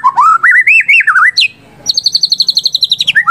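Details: White-rumped shama, apparently a kept bird, singing loud rich warbled phrases that wander up and down, then after a brief pause a fast even series of about twenty high repeated notes.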